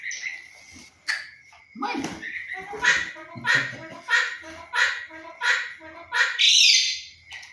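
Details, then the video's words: Pet myna mimicking human speech in Bengali, repeating word-like phrases in a raspy, bird-toned voice about one burst each half second, ending in a harsh squawk, while its owner talks and coaches it nearby. "শালিক পাখি মানুষের ভাষায় কথা বলে"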